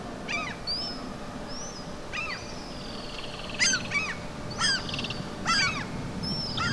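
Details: Adult and juvenile common gulls in the town of Ljungby, Sweden, on 28 July 2023, feeding on flying ants, give nasal, harmonic squealing calls about once a second, with thin, high whistled notes between them over a soft hiss.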